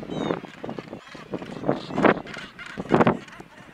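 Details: Black-legged kittiwakes on a narrow ledge on Helgoland alongside their young, uttering loud, harsh nasal squawks in short separate bursts roughly every half second, the strongest near the end.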